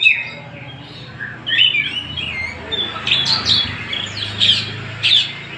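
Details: Kacer of the Tasik type, the Oriental magpie-robin, singing thin whistles and sharp, scratchy bursts repeated irregularly over a steady low hum.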